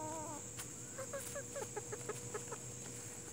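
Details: Plymouth Rock and Hamburg chickens calling: a short harmonic call, then a run of quick clucks repeated roughly every fifth of a second, over a steady background hum and a faint high hiss.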